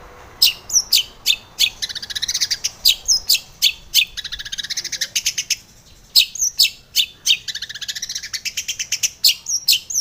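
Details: Female long-tailed shrike singing in the morning as a lure for caged birds: sharp, high chips repeated about twice a second, broken by bursts of harsh, scratchy chatter and short pauses.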